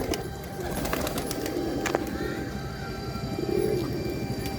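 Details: Pigeon (kabutar) giving a low, soft coo late in the recording, over a steady background hiss with scattered clicks and a faint high tone.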